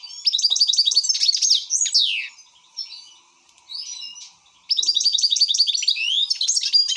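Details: European goldfinch in an excited mood, singing loud bursts of rapid, rhythmic twittering notes and sweeping slurs, with a quiet lull in the middle before another energetic tinkling run.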